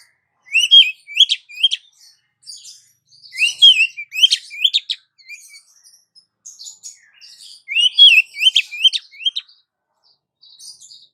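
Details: Female Oriental magpie-robin calling to the male: bursts of sharp, varied whistled notes and chirps in three clustered phrases about two seconds apart, clean and high-pitched with no other sounds.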